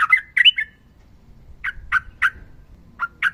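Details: Sooty-headed bulbul in fighting mood, with a female reportedly calling a male. Two rich whistled slurs open, followed by spaced, harsh, explosive single notes about every quarter second.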